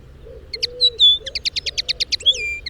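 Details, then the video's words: Lesser redpoll recorded in the wild, singing rapid dry chattering trills of short high notes mixed with a drawn-out whistled note and a falling buzzy tail; soft low cooing sounds in the background. "Lesser Redpoll Sound – Song & Bird Calls"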